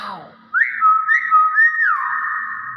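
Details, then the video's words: A common hill myna gives a loud, sustained whistle of about two seconds that rises sharply at the start, wavers in pitch, then dips and levels off before ending. "Burung Beo Gacor"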